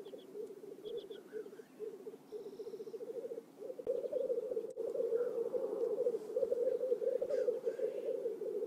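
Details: Black grouse at a lek in a swamp near Oulu, Finland, 5 May 2022, courtship display: short bursts of rapid cooing pulses for three seconds, then an unbroken bubbling chorus, with faint higher chirps from other birds.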